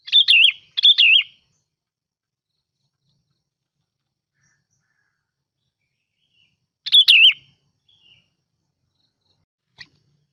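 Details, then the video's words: Sooty-headed bulbul singing as a lure: two quick bright warbling phrases near the start, then one more after a long silence, each a short burst of fluttering whistled notes, clean background. "Tiếng Chim Bông Lau Mồi"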